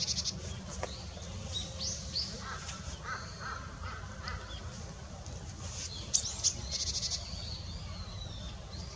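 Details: Long-tailed rosefinches, male and female, recorded on 20 December 2016, give scattered short, thin, high whistled notes, some in quick pairs, over a steady low rumble.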